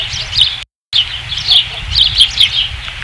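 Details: Osprey at its nest, 5 August 2016, giving quick bright chirping calls in close succession, broken by a brief dropout, over low background rumble.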